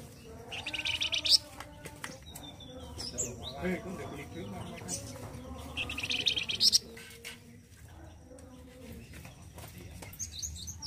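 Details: Indonesian flamboyan bird in loud, coarse song used to tutor other birds: two dense bursts of fast high trilling about five seconds apart, with soft chirps and clicking background noise between.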